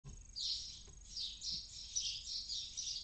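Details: Barn owl chick inside a nest near the Casa Palillos visitor centre, Cabañeros National Park, Castilla-La Mancha, Spain, in the early morning as it dozes off; rough, breathy hissing bursts repeat roughly every half second over faint low rumble.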